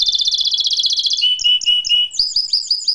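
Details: Canary singing a rapid high trill, then slower whistled notes repeated about four times, then quick upward-flicking notes, all clear and loud.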